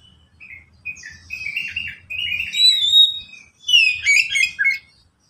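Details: White-rumped shama song played to prompt other shamas to sing: varied whistled notes rising in volume, pure clear whistles and rapid chattering trills, with faint low hum beneath.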